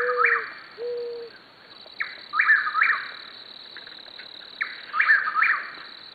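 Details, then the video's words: In an Oklahoma landscape, a chuck-will's-widow repeats its rolling, four-part whistled phrase about every two and a half seconds; a mourning dove coos low at the start and crickets trill steadily behind. "The haunting sounds of a mourning dove, a chuck will's widow, and chirping crickets"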